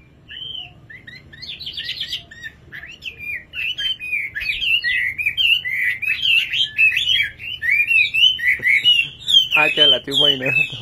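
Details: Nightingale singing a long, busy run of rapid chirped and warbled notes, about four per second, growing louder and denser toward the end, with faint low background hum.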